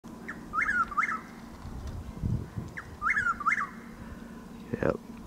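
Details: Chuck-will's-widow calling around dawn on 12 April in Lake Placid, Florida: two phrases of rapid, slurred whistled notes, each a short lead-in note then two swooping notes, with a man's voice faint and low background noise.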